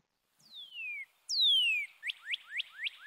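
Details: Northern Cardinal song, "cheer cheer cheer, birdie birdie pretty birdie": two long, clear whistles slurring downward, then a quick run of five short rising notes, with no other sounds.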